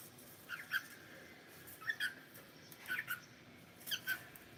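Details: Pet cockatiel giving soft paired chirps, two quick whistled notes repeated roughly once a second, over a hiss of room noise.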